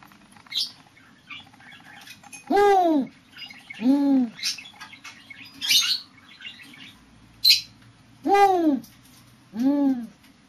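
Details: Spotted eagle-owl calling, a series of low hoots, each a short rising-falling note around two to three hundred cycles with strong harmonics, repeated roughly every one to one and a half seconds; small birds chirp faintly in the background.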